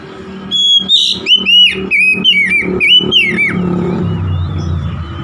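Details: Oriental magpie-robin song for stirring a stressed, silent magpie-robin into full song: about three seconds of loud, rapid whistled notes sliding up and down, over a low humming background that continues after the bird stops.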